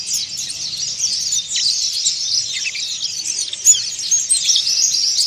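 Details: Oriental white-eye in harsh, rapid chirping meant to provoke other birds: unbroken high-pitched twitters and quick trills, about two notes a second standing out, over very little background sound.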